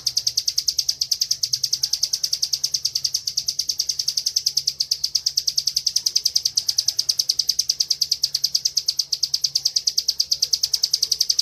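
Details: Kept bar-winged prinia delivering nonstop ngebren song for training other songbirds: an unbroken stream of sharp, high chip notes repeated very quickly and evenly, roughly six to seven per second, over eleven seconds.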